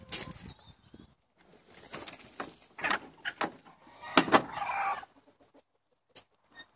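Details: Chickens being let out for the day, 70 birds in Longford, Ireland, 25 February 2016: irregular clucks and squawks from several birds, with bursts of louder calling amid shuffling noises, then quieter gaps.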